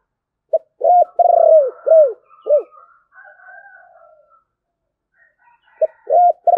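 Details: Spotted dove with a 'thổ bầu' style voice gives a phrase of soft, hollow coos, one long and wavering, followed by a quiet stretch of faint background sounds before the coos start again.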